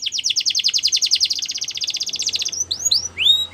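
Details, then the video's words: Border canary training song for young birds, a long fast rolling trill of rapid repeated notes, followed by a few slower, loud upward-arching whistled sweeps. "Border Canaries | Canary Training Song"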